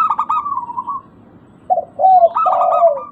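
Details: Local zebra dove, used as a lure to prompt birds that have stopped singing: a burst of quick stuttering coos that fades, a pause, then low swelling coos ending in a downward slur.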